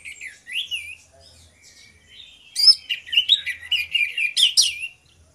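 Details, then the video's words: Two orange-headed thrushes singing loudly in the morning in the ngeplong style. A few sweet, slurred whistles are followed by a fast, dense run of high, varied chirps and trills. "DUO ANIS MERAH NGEPLONG GACOR"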